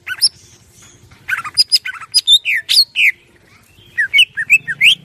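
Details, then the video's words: Greater green leafbird (cucak ijo) song offered as tutor material for training birds, clear 'ngeplong' style with varied fill phrases: quick chirps and slurred whistles, pauses between bursts, then a run of looping upward notes. "Masteran cucak ijo gacor suara jernih, cucak ijo ngeplong full isian"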